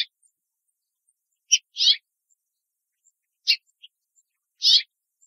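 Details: A female house finch perched and hopping among the branches of a tree in Southern Ontario, Canada, gives short, bright chirped calls, singly or in quick pairs, spaced a second or two apart against a quiet background.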